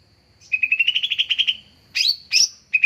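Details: Greater green leafbird lure call: a quick, even trill of rapid pulses lasting about a second, followed by three sharp, abrupt chirps.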